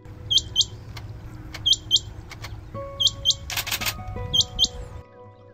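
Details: Rain quail in the NCR during the monsoon, calling to attract mates from an elevated spot, gives sharp, high, metallic double notes, a pair about every 1.3 seconds, over background music.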